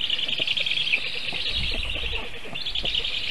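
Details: Black stork storklets at a Latvian nest in Sigulda municipality, afternoon of 1 August 2021, calling in defence as a goshawk sits on the nest tree after the parent left unfed; unbroken rasping, grating chatter with low rumbling knocks.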